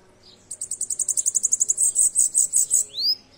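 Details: Bananaquit song, high and sibilant: a quick run of thin ticking notes that speeds up, then broadens into slower buzzy trills, followed by a short rising whistle at the end.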